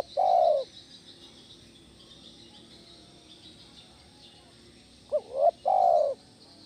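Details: Spotted dove call for luring other doves, 'kuk 1' style: a cut-off long coo at the start, several seconds of quiet hiss, then one full phrase of a short twin rising note and a long steady coo.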